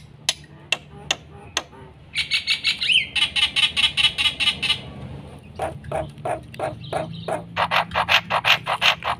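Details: Energetic black-winged myna song meant as a tutor for birds that have stopped singing: sharp clicks, then a long train of fast grating buzzy notes, a brief whistled upslur, and another dense rasping series.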